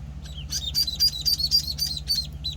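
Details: Penciled call ducklings, one week old, on a farm, give a dense run of high, thin peeps that tumble over one another in quick bursts, with a low steady hum underneath.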